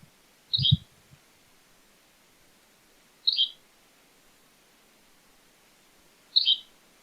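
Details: Yellow-bellied Flycatcher, a breeding bird of Newfoundland's boreal forest, gives its distinctive song: three short, abrupt, high two-part phrases about three seconds apart, with a faint low thump near the start.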